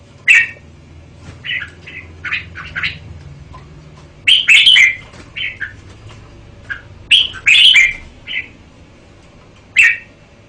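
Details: Red-whiskered bulbul pouring out cheerful, slurred whistled phrases, two rich bursts separated by softer notes, ending with a lone clear chirp.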